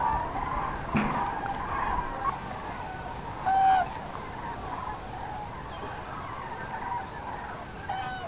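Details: Migrating common cranes passing over central France on 5 March 2016 in the afternoon, groups scattered by stormy weather; a single clear rolling trumpet mid-clip, fainter calls scattered around it, constant wind noise behind.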